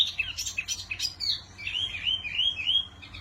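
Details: Mini wambi bird in lively song: loud, high, sharp chirps at the start, then a continuous warbling twitter rippling up and down, over a low steady background hum.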